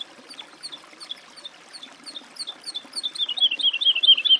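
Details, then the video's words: Woodlark singing. Scattered, soft whistled notes build gradually into a louder, faster series of repeated, looping descending phrases that carries on to the end. Faint background rustle. "Голоса птиц. Жаворонок лесной (Lullula arborea)"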